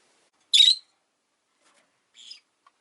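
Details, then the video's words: Caged rosy-faced lovebird, one of five kept in a cage by a window, calling in winter: a loud harsh chirp with a short whistled note, then a fainter scratchy chirp about one and a half seconds later. "冬とか関係なく良く鳴く子【Lovebird Chirping Sounds"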